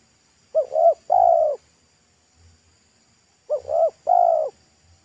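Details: A loud wild spotted dove at a roadside sings in the thick pesom style: two phrases three seconds apart, each two short quick coos leading into a longer, slightly falling coo.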